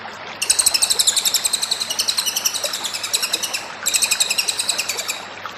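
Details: Cililin in full song for a masteran training recording: rapid, high, twittering notes delivered almost without pause for five seconds, briefly dipping in strength midway, with a constant low background hum.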